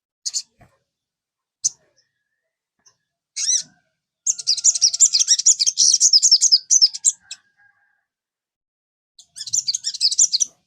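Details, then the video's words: Sogon song used as a lure to set a kept bird singing: scattered short high notes, then a sustained rapid high-pitched chattering trill of about three seconds, and a shorter trill near the end. "PANCINGAN SOGON. BIAR SOGON MU IKUT CEPAT RAJIN BUNYI"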